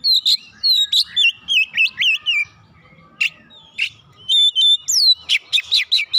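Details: Stimulated Oriental magpie-robin sings descending whistled phrases and quick slurred notes, sharp chips in the middle, then a rapid closing series of whistles.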